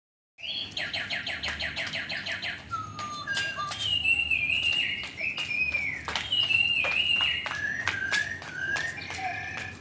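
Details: Lovebird giving a long ngekek chatter: a burst of rapid, evenly repeated shrill notes, then sharp clicks over drawn-out whistled tones that slide slowly downward, with sustained high chatter running to the end.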